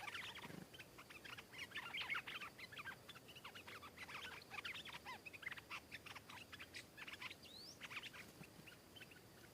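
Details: A wild stripe-throated bulbul answers a caged bird before attacking it; the song is a long run of quick warbled notes, louder at first and around two seconds, with one sharp rising whistle late on.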